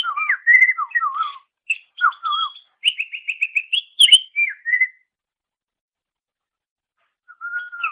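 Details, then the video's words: Greater green leafbird master song for songbird training: rich whistled phrases mixing low warbled notes and quick repeated chirps, then a long silent gap before a soft whistle resumes. "Ocehan Suara Burung Cucak Ijo"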